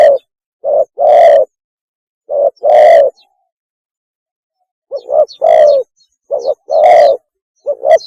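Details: Spotted dove (tekukur) mating call used as a hunting lure: low, hollow coos, each phrase a short note or two followed by a longer, louder coo, repeated about every two seconds against silence.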